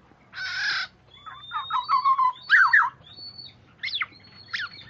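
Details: Black-naped oriole sound used as a lure: a harsh, nasal, broadband squawk, then a run of short slurred fluty whistles and rising-falling notes over a faint low hum.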